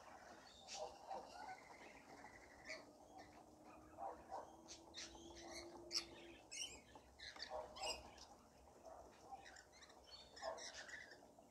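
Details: Rainbow lorikeets in a feeding frenzy while being fed: a crowd of harsh, shrill screeches and squawks bursting irregularly and overlapping throughout, with a faint steady low drone running beneath for a few seconds.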